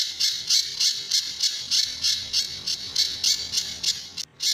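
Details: Sunda bush warbler singing the tembakan and besetan pattern of a master recording for other birds: a quick string of buzzy, shrill bursts at about three per second, with a brief gap near the end.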